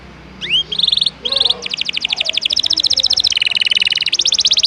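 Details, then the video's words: Canary song with a rising whistle and short buzzy notes at the start, then a steady fast trill of clipped repeated notes that shifts slightly lower in pitch halfway. "Masteran burung kenari isian ngejos..pedas"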